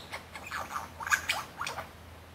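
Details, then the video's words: Superb lyrebird showing off and singing at the bottom of Martin's Lookout in Genbrook Creek; a few short, mid-pitched swooping notes come in loose bursts over about two seconds, with a soft low hum underneath. "Superb Lyrebird"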